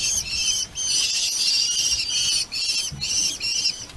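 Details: At a nest-cam site in Polgár, Hungary, a red-footed falcon family gives loud, strident, repeated squealing calls in long bursts separated by brief pauses.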